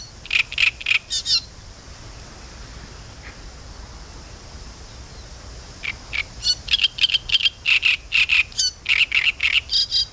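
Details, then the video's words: Great Reed Warbler (Acrocephalus arundinaceus) singing on the Southern Bug river, Spasskaya spit. Harsh, grating, chattering phrases of rapid rasping notes, then a pause of several seconds, then a longer, more varied burst. "Пение камышовки"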